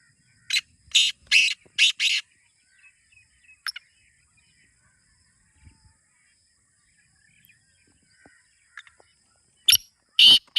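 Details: Black francolin, locally kala teetar, kept for its calling: a harsh, grating phrase of several rasping notes, then a long pause with faint distant chirps, then the call starting again loudly.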